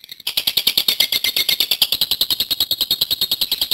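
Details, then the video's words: Lovebird song, a long continuous performance by a promising contest bird; rapid chattering notes pulsing about three times per second in an unbroken run, bright and high, recorded indoors. "Suara LoveBird Gacor Panjang"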